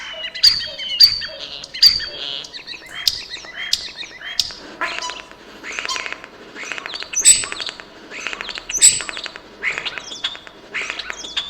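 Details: A single European starling singing, played during a lecture on birdsong and language: a long varied medley of clicks, rattles, buzzy chatter and sharp high whistles, delivered in quick irregular bursts that go on and on.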